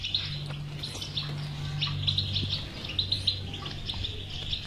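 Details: European goldfinch singing, a recording meant to encourage a silent caged goldfinch to sing: lively liquid twittering in quick bursts, with a constant low electrical hum beneath.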